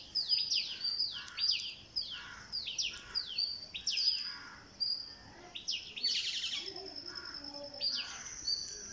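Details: Green parakeet begging while being fed, day 49: quick clusters of sharp, descending chirps, repeated in bursts through the clip, over a steady high insect-like trill in the background.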